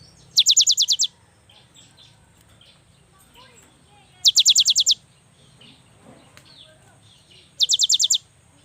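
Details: Cinereous tit song used to prompt other birds: three short, very fast trills of high, piercing notes at roughly four-second intervals, with soft chirps between.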